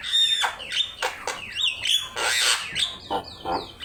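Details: Javan myna in lively song for a bird-training master track: a high steady whistle, then swooping whistled notes and broad harsh rasps, ending in paired descending whistles.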